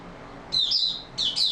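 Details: Oriental white-eye, 28 February 2022, giving two brief high-pitched twittering phrases of quick, slurred chirps over a faint background hum.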